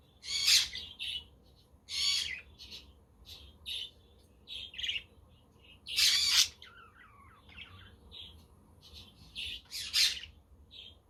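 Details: Budgies on a windy, sunny day with a quaker parrot and a conure in the background: loud harsh squawks about every two seconds amid softer chirps, with a lower, wavering warbled phrase in the middle.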